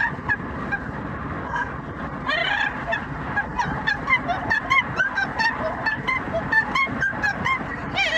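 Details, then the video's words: A pet Yellow-naped amazon riding in a car on the commute gives a string of loud, honking, operatic 'singing' notes, roughly one or two each second, over a steady low rumble of car noise. "Parrot singing opera and making noise for the commute"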